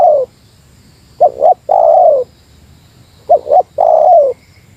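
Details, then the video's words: Meratus-style spotted dove lure call against a rival, phrased as a doubled short coo followed by a drawn-out falling coo, the pattern given twice about two seconds apart, clear and close. "Suara Burung Tekukur Meratus Lawan"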